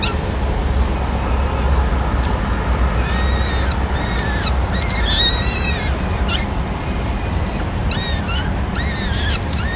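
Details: At a Madrid peregrine falcon nest on 26 April 2016, the male feeds the chicks their first meal of the day, a small bird. Fainter arched calls gather mid-clip, some in quick stacked bursts, over strong low rumble.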